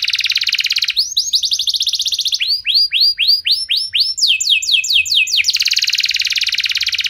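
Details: Canary singing as a lure to set other canaries off: rapid buzzy trill, then phrases of repeated curved whistled notes changing in pitch and speed, ending in another fast rattling trill.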